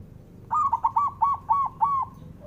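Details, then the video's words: Male zebra dove singing to stir up rival males: a longer run of about seven rhythmic cooing notes, evenly spaced and mellow, each with a short rise and fall, against low background hum. "SUARANYA🔊 LAGI BANYAK DI CARI UNTUK PENDOBRAK LAWAN JADI EMOSI! BIKIN NYAUT"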